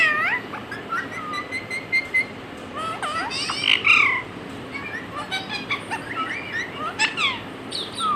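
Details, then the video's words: Mimicked words and meows from a pet talking parrot: wavering whistled tones and quick rasping squawks, with a louder slurred cry near the middle before the chatter continues. "Adorable Talking Parrot"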